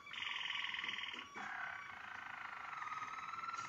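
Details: A Waterslager (Malinois) canary, 2022 bird, sings its prized "klok" water-sound song: a rapid, bubbling, water-like rolling song in two long, evenly pulsed phrases, the second lower in pitch.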